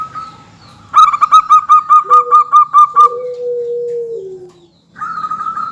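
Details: Local zebra dove lure song played to make other birds answer: about nine rapid, loud, bouncing coo notes on a steady pitch, followed by a lower, drawn-out, slowly falling coo from another bird.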